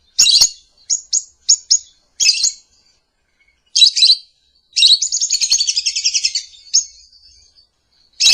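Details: Lovebird singing in the morning, used as a lure and master song: scattered shrill chirps and squeaks, then a sustained buzzy chattering trill and a final sharp note.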